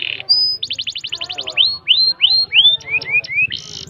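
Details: Canary long-breath song: a brief buzz and a high whistle, a fast tour of repeated notes, upswept whistles, short rising chirps, then a closing buzzy note.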